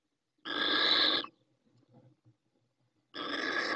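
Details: A female little owl (Athene noctua) calling from the nest in Ávila, Spain, in late April during egg-laying, gives two harsh, hissing screeches, each under a second, about two seconds apart, with faint low rustling between.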